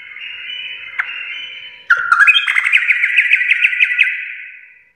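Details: Sustained wavering whistle from a sooty-headed bulbul breaks into a loud, rapid train of rising, ringing notes, about five per second, in the energetic 'full garuda' gacor style.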